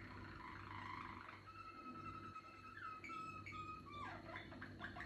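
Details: A young Malinois canary, song not yet settled, holds long pure whistled tones that step and slide in pitch, then ends in a descending rolled flourish. A low hum is audible.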